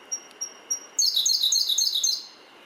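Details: Siberian Blue Robin on Mount Mitsutoge near Fuji, Japan, on 18 June 2019: three thin high introductory notes, then a loud rapid rattling trill of repeated notes lasting about a second.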